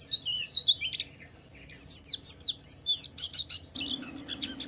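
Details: White-eye; song; to prompt other white-eyes to start singing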